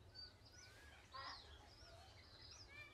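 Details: Plumed Whistling Ducks at Lake Galletly in Gatton, South-East Queensland, recorded June 21, 2024 with a Canon R7; faint thin whistles, some sliding up and down, scattered across the clip over a steady low rumble.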